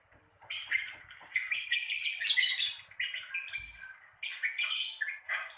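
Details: Lovebird giving ngekek, a recording meant to prompt beginner lovebirds to sing: a fast, chattering trill of sharp chirps and harsh buzzy notes, nearly continuous for five seconds with brief gaps, the busiest run near the middle.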